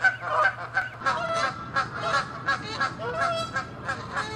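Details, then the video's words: Fighting Canada geese, angry and territorial; a loud honk opens, followed by a quick, steady series of nasal honks, roughly three per second, continuing throughout. "Geese fighting & honking loud sounds"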